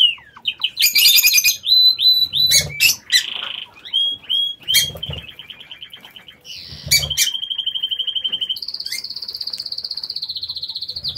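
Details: Aviary lovebirds chattering loudly: piercing high chirps, buzzy rattling trills and long sustained whistled notes, broken by short low thumps, mixing across the whole stretch.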